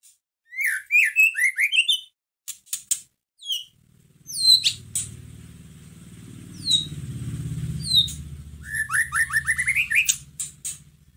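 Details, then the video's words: White-rumped shama song played to stir up a caged shama: quick bursts of sharp chirps and whistled sweeps, sharp clicks, and a low rumbling hum in the middle section. "Pancingan masteran pendongkrak emosi murai batu loyo langsung nyahut Gacor"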